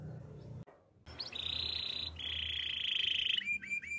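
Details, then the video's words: Belgian canary delivering a steady rolling trill held for about a second, a slightly lower continuous roll, then a few quick upswept whistled notes, over faint low background hum. "Belgian Canary Song"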